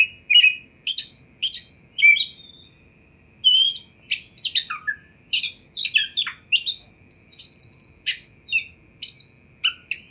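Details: Oriental magpie-robin song for provoking other magpie-robins to answer: loud sharp chirps and downslurred whistles delivered in irregular, fairly fast bursts, some raspy twittering phrases, faint steady tone in the background.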